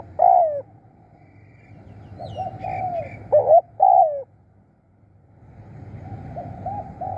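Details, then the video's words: Spotted dove, a decoy bird used to call wild doves in, giving short throaty coos around the one-second mark, then a louder burst of paired coos near four seconds, with faint coos returning at the end over low background rumble. "ตามนกเรียกคู รู้ครุน"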